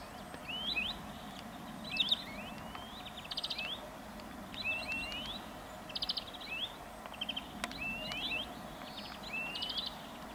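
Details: European greenfinch song: rising whistled notes, short rapid trills and twittering phrases repeated through the clip, over steady low background noise.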